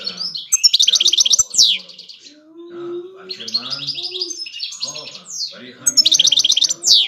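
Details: European goldfinch, a large five-year-old bird, in song: bursts of fast, tinkling high trills alternating with sweeping slurred notes and twittering, separated by brief pauses, with faint low background sounds.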